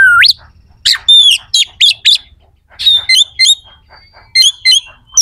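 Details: Kacer (oriental magpie-robin) song with coarse, sharp fillers for provoking contest rivals: an opening upslurred whistle, then clipped rasping notes and evenly repeated short bright chirps.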